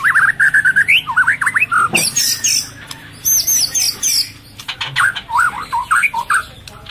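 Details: Female white-rumped shama in breeding condition, calling to stimulate males and feeding its chick: quick runs of rising and falling whistled notes with squawky chirps, broken by harsh broadband bursts and clicks.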